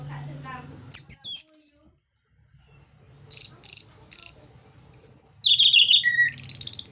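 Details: Orange-headed thrush singing in the ngeplong style, used to prompt other orange-headed thrushes to sing. A rich, high whistled phrase, a pause, then three short bright notes and a tumbling series of sharp whistles, over a faint low hum.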